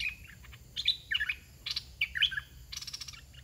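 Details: Decoy red-whiskered bulbul in a cage, dok taeng type, giving a few fluty warbled phrases with a clear whistle at the start and a buzzy rattle at the end, over soft background hiss.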